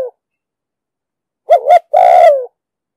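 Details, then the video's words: Spotted dove from a trapping lure recording in the 'thúc gù' style with a 'đồng sấm' voice: the end of one coo, a pause, then a single phrase of a quick wavering two-part note and a long falling coo. "Tiếng chim cu gáy giọng đồng sấm,thúc gù bài bản"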